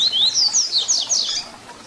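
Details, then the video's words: Papa-capim or double-collared seedeater in 'Tui Tui Zel Zel' song, a teaching recording for young birds: loud rising whistle followed by quick high slurred notes that trail off softly. "Papacapim Tui Tui Zel Zel Canto FIBRA para Encarte"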